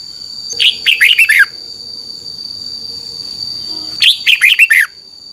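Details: Red-whiskered bulbul song played to train caged birds: two short bursts of rich, warbled whistled notes about three seconds apart, each phrase of five quick dropping notes, over a steady high electronic tone.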